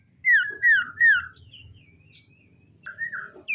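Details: Common iora singing in the morning: three rich downslurred whistles in quick succession, then faint thin notes, and one more wavering whistle near the end.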